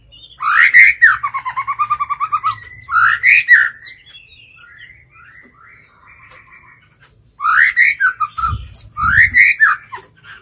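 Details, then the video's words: White-rumped shama kept as a lure, singing to call wild birds to fight: a loud swoop into rapid repeated notes, a pause with soft warbling, then further bold rising whistled phrases and two low thumps. "Chích chòe lửa mồi hót gọi bổi"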